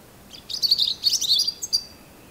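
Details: Robin giving a brief, dense high warble of tumbling chirps and squeaky twitters, quickly varied in pitch, followed by a thin high whistle, with little background noise.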